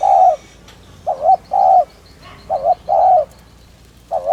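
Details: Spotted dove (cu gáy, cu đất) cooing in a prompting style used to lure or stimulate other doves: low, hollow coos around 700 in short-long pairs, some with a slight upward lilt, irregularly spaced, faint chirps overhead.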